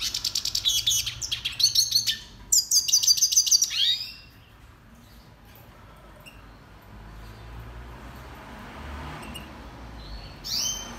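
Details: Red siskin, Spinus cucullatus, song for training other birds. Bursts of fast, high, metallic twittering trills for about four seconds, then near quiet, ending with a brief rising whistled note.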